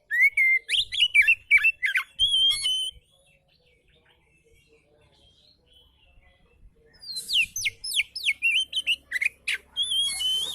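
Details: Oriental magpie-robin in a relaxed singing style, used as a tutor recording for magpie-robins that are lazy to sing: bursts of bright whistled, rising and falling notes with sharp chips, a quiet pause of about four seconds, then a faster run of notes.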